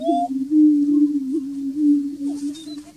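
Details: Greater prairie-chickens booming at the Bledsoe Ranch lek: a low, hollow, moaning hoot held steady and overlapping without a break. A brief higher whistle opens, and faint cackles sound late.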